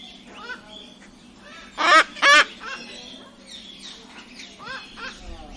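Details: Two strident, rasping cockatoo screeches in quick succession stand out against soft background chatter and a few faint squeaky notes.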